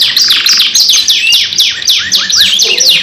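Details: Canary lure song from a two-bird pairing: a brisk run of bright notes sliding steeply downward, about three or four each second, with a few lower curling notes near the end.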